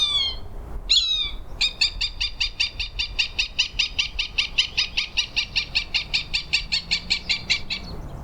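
Cooper's Hawk giving a fast, even run of about thirty harsh, nasal cak notes, some five per second, after two louder opening notes.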